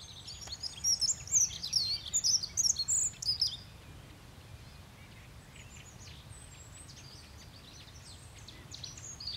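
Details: A dunnock (Prunella modularis) sings one quick, high, thin warbling phrase lasting about three seconds. Quiet follows, with faint distant birds and a low background hum.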